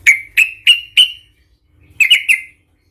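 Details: Sooty-headed bulbul giving an aggressive provoking song: four evenly spaced bright chirps, a pause, then three quicker chirps, clear and loud.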